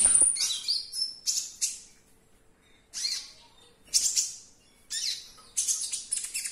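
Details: Konin or olive-backed sunbird, a cage bird played to spur others to sing: bursts of high, buzzy chattering notes, in short phrases separated by brief pauses, ending in a rapid run.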